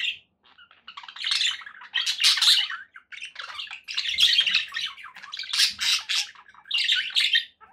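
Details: Happy pet budgies chattering together: dense bursts of raspy warbling and chirps, rising and falling in waves every second or so, with short quiet gaps between outbursts.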